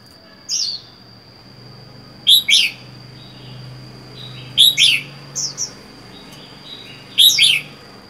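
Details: Caged red-whiskered bulbul kept alone, four months in the cage after wild capture; short bright chirping phrases in bursts of two or three notes, separated by pauses of about two seconds, with a steady faint high tone behind.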